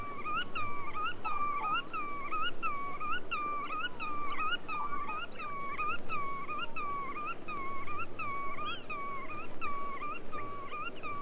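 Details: Black-tailed Godwit (Limosa limosa) giving a steady run of nasal, rising-and-falling calls, about one every two seconds, over a low background rumble.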